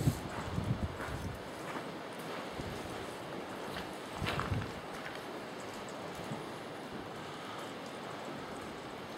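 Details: Outdoor wind buffeting and a low engine or boat rumble, with brief louder gusts and no animal voices.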